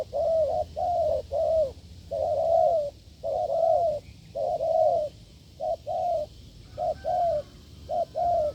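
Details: Strong cooing from a wild spotted dove answering a decoy test. Low hollow notes come in a long, busy run. Short and drawn-out coos alternate, roughly one every half second, with a steady faint hiss behind.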